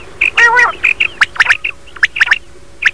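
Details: A common quail calling in the morning gives quick, liquid three-note phrases, twice in a row, after a brief harsh, nasal squawk near the start.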